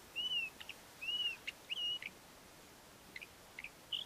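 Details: Ant-eating chat, a male singing his courtship song: clear whistled notes near the upper-middle range, slightly rising then falling, mixed with short sharp clicks and chips, phrases spaced by brief pauses, quiet background.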